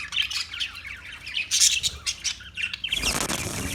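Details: Parakeets chirping in quick scratchy high notes, ending in a broad rush of noise.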